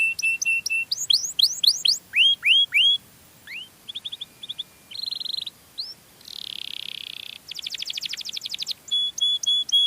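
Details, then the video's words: Melodious canary song used to lure other canaries: repeated pure whistled notes, then series of rising sweeps, a steady buzzy tour, rapid rattling trills and clear high whistles, each phrase repeated several times in quick succession. "suara burung kenari yang merdu untuk pancingan burung sejenisnya"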